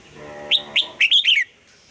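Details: A red-whiskered bulbul trained to sing at dawn in the double-note, old wild-bird style delivers one brisk phrase: two upslurred whistles, then three rapid notes that rise and fall away.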